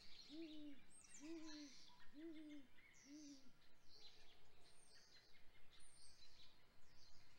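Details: Great gray owl female on a nest at dawn, 7:24 am in April, vocalizing as she returns to the nest after being flushed off her eggs; four low, soft hooting notes about one per second, with small birds chirping behind.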